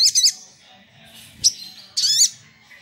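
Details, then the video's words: Sunbird song used as a lure to provoke rival birds: three bursts of sharp, high, sweeping chirps, the last a longer buzzy trill, with faint background murmur. "SOGOK ONTONG GACOR DOR TEMBAKAN PANJANG SUARA JERNIH"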